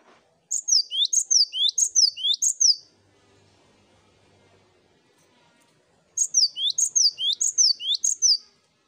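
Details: Cinereous tit chorus master for prompting song: brisk strings of paired whistles, each a high downslurred note followed by a rising lower note, in two runs of about four phrases separated by a quiet gap.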